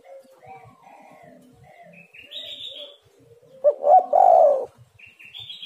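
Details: Spotted dove used as a lure for wild birds: faint low murmurs and higher chirps from other birds, then a loud burst of hollow coos near the end, a rising double note followed by a sustained coo.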